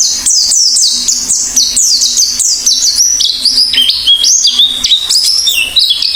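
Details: Actively singing Oriental white-eye (pleci), beak open: a nonstop stream of very high, sweet whistles, each sliding downward, delivered rapidly and varying in pitch, over a faint low hum.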